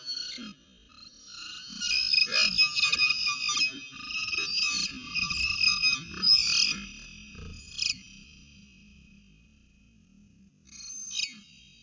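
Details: Peregrine falcons calling at the Orange CSU nest on 5 January 2020: sustained harsh, grating wailing chatter for several seconds, a pause, then another brief screechy burst.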